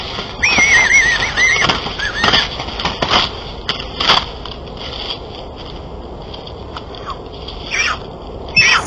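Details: Eagle calling while defending its nest against an intruding adult eagle: a wavering, warbling squeal in the first two seconds, then scattered sharp clicks and rustles over a steady background hiss.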